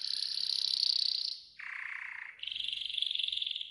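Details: Yellow golden canary in a training song: a high rolling trill, then a lower, coarser buzzy tour, then back up to a mid-high rapid trill, each about a second long.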